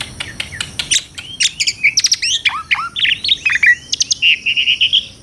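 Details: Asian pied starling in lively song, chaining sharp clicks, downslurred whistles and chirps into a fast jumble, then ending on a run of repeated mellow whistled notes.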